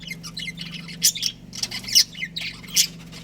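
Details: Budgerigar breeding pair kept as pets, giving short bursts of high, scratchy chirps and squawks, louder notes roughly once a second over a steady low hum.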